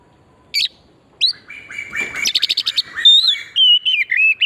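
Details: Oriental magpie-robin song for luring birds into singing, pure forest style: two sharp high notes, a rapid buzzy rattling series, then clear sliding whistles and warbled phrases.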